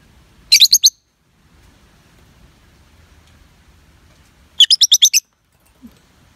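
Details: Lovebird kept as a pet making two fast bursts of five or six shrill, high chirps, separated by a long quiet stretch with soft low background rumble.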